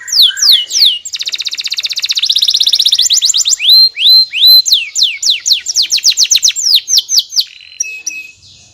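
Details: Lively canary song with falling whistles, a dense buzzing trill, arched rising notes and quick repeated downslurs ending in a steady flat tone.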